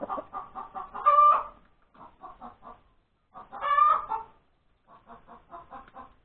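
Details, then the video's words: Hen cackling after laying, recorded on Sunday, January 31, 2021, at breakfast time. Two loud, drawn-out squawks stand between short groups of clipped clucks. "the crowing of the hen that lays the egg"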